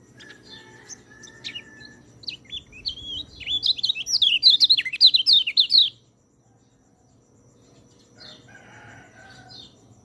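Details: Training song of a white-eye meant for birds reluctant to sing: scattered thin chirps build into a fast, bright, jumbled warble of high slurred notes, then it stops abruptly, leaving soft background sounds.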